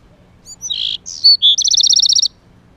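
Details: Male Bewick's wren protecting his nest: a few high, scratchy notes followed by a bright, rapid trill of about a dozen repeated buzzy pulses. All notes are sharp and high-pitched over a quiet background.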